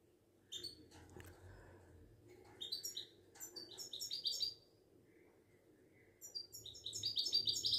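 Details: Caged Moroccan Widani goldfinch singing bursts of rapid high twittering separated by pauses, over a low humming background.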